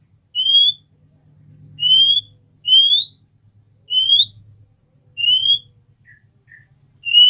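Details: Female oriental magpie-robin calling the male with the 'nyiul' whistle: six short upslurred whistles repeated about once a second or so, over a faint low hum, with one or two soft lower notes.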